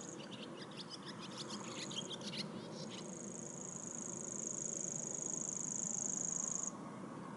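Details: A Common Grasshopper Warbler at Waverhoek gives a high, dry, insect-like reel that runs unbroken for about four seconds, after a brief burst of chirps from another bird and under a low background rumble.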